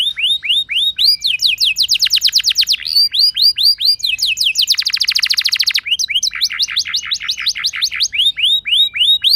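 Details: Lure song of a canary, played to make other canaries sing along with rolling trills: curved whistles alternate with fast buzzy trill runs, including a very rapid dense roll in the middle.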